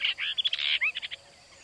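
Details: Brahminy starling recorded in a village in India: a fast, dense run of squeaky chattering and gurgling notes with short whistled slurs, lasting about a second before fading to quiet background.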